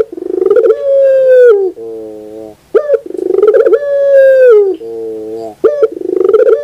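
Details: Puter pelung dove in the morning repeating its song, each phrase a rolling trill swelling into a long steady coo that dips lower, then a softer deep note, with short sharp notes between phrases.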